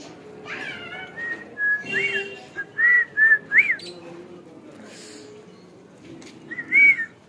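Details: Hand-tamed pet cockatiels (Nymphicus hollandicus) give clear, arched whistles, short rising-and-falling notes repeated in quick bursts.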